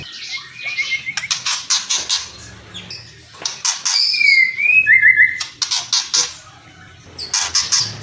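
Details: Kretekan and whistles from a white-rumped shama, intended to raise emotion: dense bursts of harsh crackling notes alternate with a short rising-falling whistle and a quick rolled trill, ending in more scratchy chatter.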